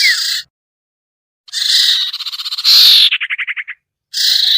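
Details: Sirtu bird lure sound for birds that are hard to bring down: a short buzz, a pause, then a long rasping pulsed phrase ending in an evenly spaced rattle of about eight notes, and a last buzz.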